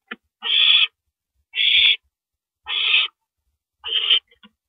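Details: Owl recorded at 1:27 AM on April 9, 2012, while an adult swallows a rabbit; four harsh, raspy hissing bursts, each about half a second long, repeat roughly every 1.2 seconds with silence between.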